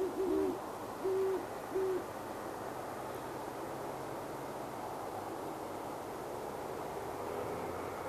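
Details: Great horned owl pair hooting to each other from a tree after dark on January 21, 2016, near Boulder, Colorado: three deep, soft hoots in the first two seconds, then quiet over a steady background rumble.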